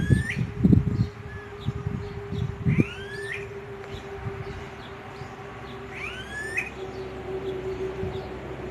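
Smooth-billed ani giving whiny, rising whistles, three of them a few seconds apart, over a steady low hum and some thumping noise at the start.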